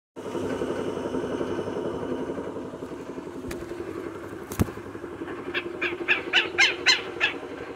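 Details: Southern lapwing (Vanellus chilensis), call.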